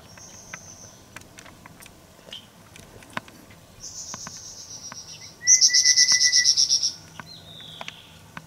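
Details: A Grey-cheeked fulvetta busy weaving through a bush on Dashue Mountain, Taichung, Taiwan, on 17 December 2019 gives thin, very high notes. Then comes a quick run of about a dozen sharp, even chips, with faint ticks and distant chirps.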